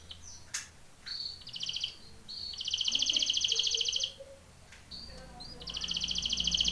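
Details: Belgian canary training song with several bright rattling trills of rapid notes separated by short pauses and thin whistles, plus a few sharp clicks and low background rumble.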